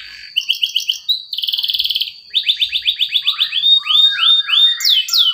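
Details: Lure song of a canary for a non-singing bird: short bursts of chirps, a fast buzzing trill, then a series of repeated falling notes and looping upward-curving whistles.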